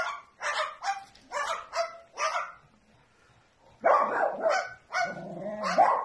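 A bird gives dog-like barks: five short yaps about half a second apart, a pause, then a louder, rougher run of four barks.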